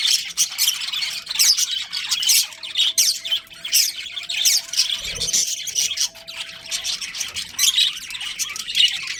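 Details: Budgies in a breeding colony chirp and squawk in pulsing bursts of high chatter, with a thin steady tone in the middle and a single low thud partway through.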